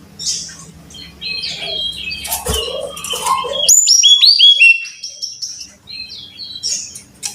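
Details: Brown-chested jungle flycatcher song, played as a lure so caged birds sing readily. After a scratchy, fluttering start comes a brief run of clear whistles sliding down in pitch, then softer scattered chirps.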